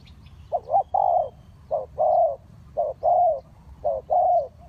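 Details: Decoy spotted dove calling to draw wild birds into a trap: four paired coos, each a brief low note then a drawn-out, gently falling one, repeated about once a second.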